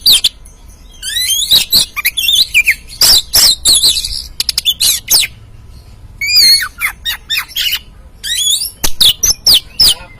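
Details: Oriental magpie-robin singing, used to coax a freshly caught caged bird to sing. Rich, varied phrases of sweeping whistles mixed with loud harsh chatters come in dense bursts separated by short pauses.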